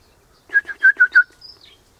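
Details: Wild Eastern rosella chatting from high in a hedge in the morning, mate close by in a pecan tree; five loud clipped whistled notes in quick succession, then a thin high trailing whistle.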